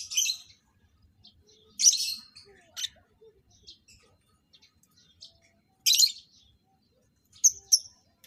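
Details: Paired breeding lovebirds give isolated loud, shrill chirps every few seconds with near silence in between.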